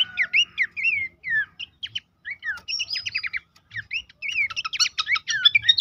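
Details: Horsfield's babbler song played for caged birds to copy and answer: varied slurred whistles and bursts of quick sharp chirps in short phrases with brief gaps, with faint low thumps in the background.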